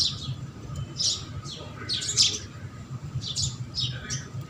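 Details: House sparrows feeding, scattered short chirps and squawky notes in bursts about a second apart, against a low rumbling background.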